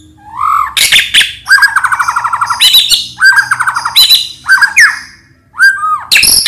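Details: White-rumped shama singing in the morning, a rich, varied song of rising whistles, rapid rattling trills and harsh scratchy notes in quick, changing phrases, used as a lure to prompt reluctant shamas to sing and respond.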